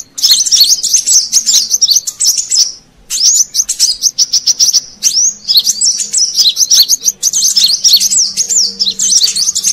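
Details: Brown-throated sunbird lure recording meant to attract wild birds: dense, rapid high chirps and twittering trills that run almost continuously, with a brief pause near three seconds.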